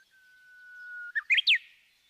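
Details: Japanese bush warbler song: a long, steady, low whistle swelling for about a second, then a quick burst of three rising and falling notes ending on a sharp downward slur.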